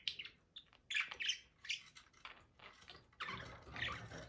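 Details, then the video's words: Budgies during mating, softly chattering with scratchy chirps and a few clearer squawks, ending in a noisier, more continuous rasping passage. "budgie mating"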